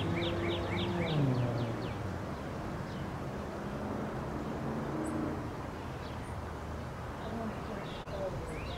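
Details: Common yellowthroat giving a brief burst of quick, repeated rolling phrases in the opening two seconds, then falling silent, leaving a steady low rumble and a few faint distant chirps.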